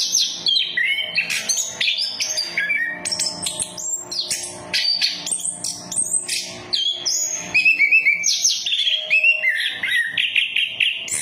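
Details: Orange-headed thrush song used as a lure to prompt other birds to sing: a rapid, varied stream of high whistled and chattering phrases, many notes sliding downward, delivered almost without pause.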